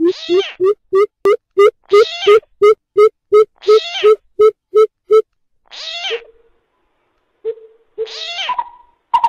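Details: Greater coucal (Centropus sinensis) lure call with frogs: a fast, even series of deep hooting notes, about three per second, broken by harsh rasping bursts from the frogs.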